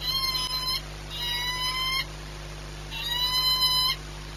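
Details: Peregrine falcon at Orlen, Płock, Poland, 22 March 2021 at 14:39: three drawn-out, slightly rising harmonic wails, each under a second, separated by short pauses, over a steady low electrical hum.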